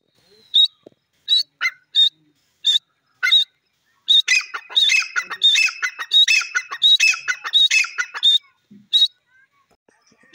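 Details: Grey francolin calling: sharp, high notes repeated about once per second, then a dense run of overlapping scratchy, chattering notes before single notes resume.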